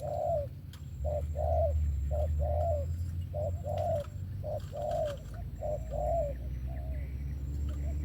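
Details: Spotted dove singing a steady run of soft, mid-pitched coos: a short note followed by a longer, slightly falling coo, repeated about every second over eight seconds, above a constant low rumbling hum and a faint high whine.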